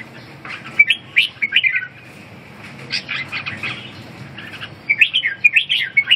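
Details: Red-whiskered bulbul song: lively warbled phrases in quick clusters, a bubbling run near the start and another at the end, separated by a quieter pause.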